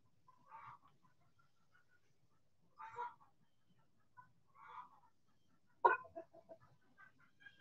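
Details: Backyard chickens out in the sun, giving soft clucking calls in spaced bursts roughly every two seconds, with a sharper louder note near the end and low background rustling.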